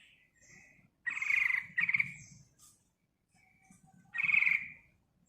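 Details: Yellow-vented bulbul used to lure other birds: short bursts of rapid chattering, two close together then one more after a pause, with faint softer notes between.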